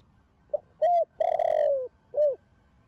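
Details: Spotted dove of the thổ đồng voice style cooing to urge other doves to call: a brief opening note, a steady coo, a long wavering coo that slides lower, then a closing arched coo.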